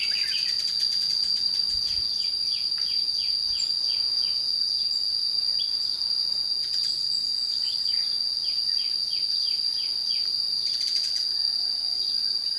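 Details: Red-whiskered bulbul used as a lure during trapping at Chùa Hương, Vietnam, 22 June 2016, singing competitively. Quick runs of short downslurred chirps, bunched into bursts, sit under a loud, steady, high insect drone.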